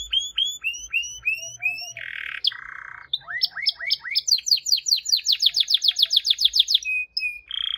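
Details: Singing canary delivering repeated downslurred whistles, two coarse buzzy notes, rising slurs, then an accelerating series of quick high sweeps, a flat whistle and a final buzz.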